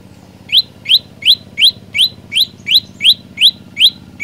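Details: Olive-backed tailorbird singing strongly: ten clear, sharply rising notes repeated almost three times a second after a short quiet start, over a steady low hum.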